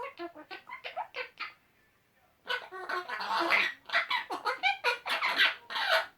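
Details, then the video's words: Two male pet Eclectus parrots talking to one another with silly sounds; bouncy repeated nasal syllables, a brief silence, then loud raspy rapid chatter continuing to the end. "Eclectus boys making silly noises"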